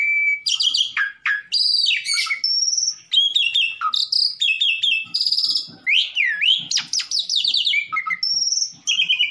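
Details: Black-collared starling singing loudly, a recording used to make rivals respond: rich jumble of whistled slurs, steep downward sweeps, buzzy trills and held high notes, nearly continuous for over nine seconds.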